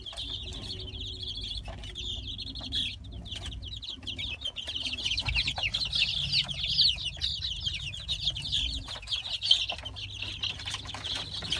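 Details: Many Light Brahma chicks newly placed in their coop peep shrilly and continuously, the chorus swelling midway, with scattered rustling, clicks and a constant low hum.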